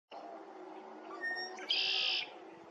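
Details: Red-winged blackbird calling at Lake Afton on 20 February 2023: a few soft introductory notes, then a loud, harsh, buzzy trill lasting about half a second, over a steady low background hum.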